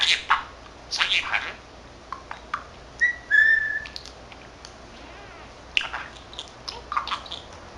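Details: Pet male budgerigar, 13 months old, taught Korean and Japanese phrases, chattering to himself: scattered scratchy bursts of mimicked speech with a short clear whistle near the middle, quiet pauses between.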